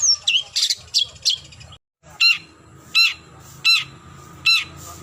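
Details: Long-tailed shrike calling a rival: scratchy, squawking notes in quick succession, a brief silent break, then four loud, harsh notes spaced under a second apart over a low hum.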